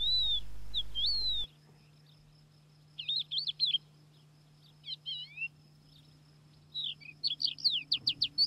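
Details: Thekla's Lark on the plateaus between Aragon and Extremadura, Spain, identifiable by its song, gives clear, fluty whistles and rapid rising-falling chirps in short bursts over a steady low hum.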